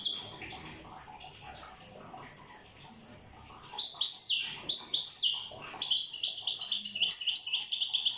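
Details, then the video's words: European goldfinch from Corsica singing: quiet, scattered notes at first, then from midway loud, rapid, high twittering phrases with repeated tinkling, slightly buzzy notes that run on to the end. "Chant chardonneret corse rosse"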